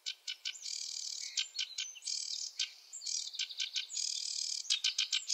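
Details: Sedge warbler, a wetland warbler, in varied rushed song: dry buzzy stretches alternating with sharp clicking notes, with faint background hiss.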